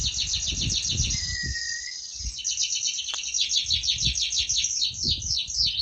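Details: Lively, prize-winning canary singing fast high trills and a rippling series of repeated notes, with a soft lower whistle near the start; low thumping background noise throughout.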